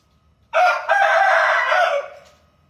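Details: Rooster crow among various crowing styles: a short opening note, a brief break, then a long sustained harsh crow lasting about a second and a half, ending abruptly in near silence.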